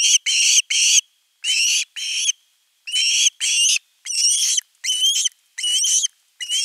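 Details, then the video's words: Osprey at nest 3, 10 August 2021, calling at length for fish before a whole fish is delivered: a rapid series of loud, shrill, slightly rising whistled yelps, about nine notes in quick pairs, with no other sounds. "Myy huutaa pitkään kalaa"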